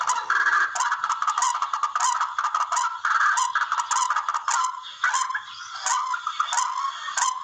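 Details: Barred rail call played as a hunting lure: steady, scratchy clucking and grating notes repeated rapidly for over seven seconds, punctuated by sharp clicks.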